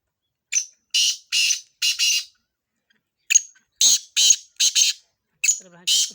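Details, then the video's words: Black francolin, kala tetar from Sindh, recorded for chakree training: a short grating phrase of four notes, a silence, then a longer series of harsh ringing notes, with a faint voice near the end. "Kala tetar / training for chakree / chakree ki training / sindh / black francolin / चक्र की ट्रेनिंग"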